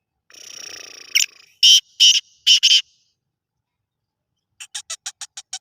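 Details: Black francolin calling: after a soft hiss, a few loud, harsh, grating notes are spaced about half a second apart, followed by a quick run of short clicking notes.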